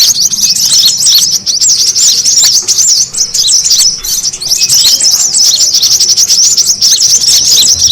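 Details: Busy brown-throated sunbird chatter meant to attract birds, also offered as therapy for stressed sunbirds: shrill, rapid chirping and squeaky twitters crowding together in a steady high-pitched wall of sound.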